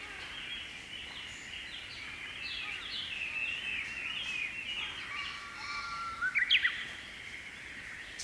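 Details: Japanese bush warbler singing in May, on a morning, perched on the tip of a silver grass seed head. A long steady whistle ends in a quick rising, twisting flourish, over a dense chorus of repeated high chirps from other birds.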